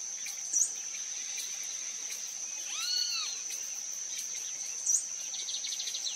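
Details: Wild blue-throated piping guan giving a single arched, harmonic-rich note lasting about half a second near the middle, rising then falling, over a steady high insect drone with faint chirps at the start and end.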